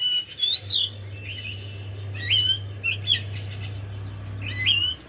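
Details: Javan white-eye song used to coax a reluctant bird into singing; short bright chirps and bent whistled notes come in scattered bursts about a second apart, with a constant low hum underneath.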